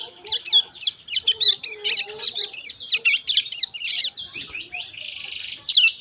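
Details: Mountain prinia just over one month old, a youngster learning to sing, actively twittering (ngeriwik): rapid high chirps and short downslurred notes in an irregular run, over a steady high whine and faint lower chirps.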